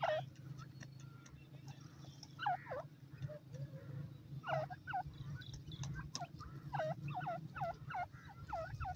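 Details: Female francolin calling with a series of short, sharply falling notes, sparse at first, then coming in rapid repeated bursts in the second half over a steady low hum.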